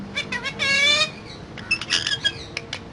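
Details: Talking parrot giving a drawn-out, tonal, nasal note that rises slightly, framed by quick clipped chatter before and scattered chirps and clicks after, with a faint hum underneath.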